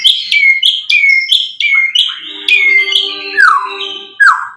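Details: White-rumped shama song rich in borrowed fill-in material, meant to provoke other shamas into replying: repeated loud downward-sliding whistles about once a second, then a steady low hum-like tone under mixed phrases.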